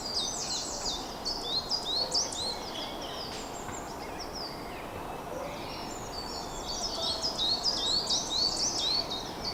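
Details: Goldcrest calling in a local park on 22 March 2025, where about half a dozen were heard on an earlier visit. Very high, thin, rapid notes come in bursts at the start and again near the end, over steady outdoor background noise.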